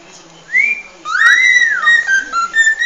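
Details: Cockatiel original song fragment: a short rising whistle, then a long arching whistled note that climbs and falls before settling into level tones, with a constant low room hum behind.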